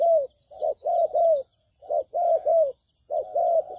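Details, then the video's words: Trapping lure of spotted dove calling: low throaty coos in phrases of a short note then two drawn-out falling coos, repeated about every second and a half, with thin twittering of other birds in the background. "Suara Pikat Burung Tekukur Paling JITU"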